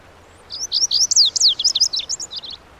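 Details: Lazuli bunting, a bird of shrubby hillsides in western North America, delivering a two-second phrase of bright, rapid, high slurred notes, some paired, ending in softer buzzy notes.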